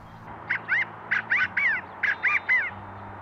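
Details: In San Diego County, California, a covey of California quail gives its early-morning territorial chi-ca-go call, three loud notes repeated three times about every three-quarters of a second, over a faint low hum.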